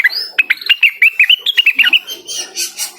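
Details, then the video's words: Cucak wilis singing energetically while calling a rival: a quick run of bright, clipped whistled notes, each one sharp and evenly spaced, with a thin rising whistle at the start and a softer fading chatter at the end. "suara burung cucak Wilis / gacor memanggil lawan"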